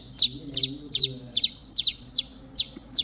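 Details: Three baby chickens without their mother call for her with loud, high, falling peeps in close doubles, about eight bursts in three seconds, over a low background hum.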